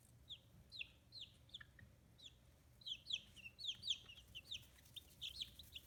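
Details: Fifteen-day-old chicks with emerging feathers on a small free-range chicken farm in Hiroshima, Japan; scattered shrill downslurred peeps building into a denser cluster of chirps, over quiet low hum.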